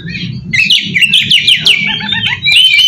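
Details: Short burst of oriental magpie-robin lure song aimed at untrained magpie-robins. Quick descending slurred whistles in a rapid run, ending in a sustained whistled note, with low hum beneath.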